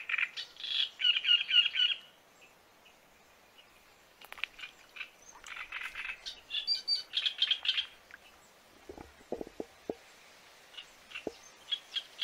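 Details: Great reed warbler song with harsh, grating phrases of rapidly repeated notes in short bursts, separated by brief pauses, plus a few low knocking sounds near the end.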